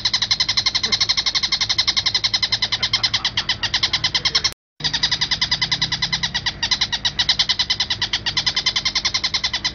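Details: Long-tailed shrike gives a harsh, buzzy rattle of rapid even pulses, about five or six a second, broken by one brief silent gap, used as a training recording for other birds.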